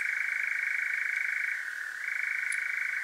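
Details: European nightjar churring by night in Devon, south-west England, recorded via parabolic mic: a loud sustained rapid trill holding one pitch, with one brief drop and softening midway before the churr returns at full strength.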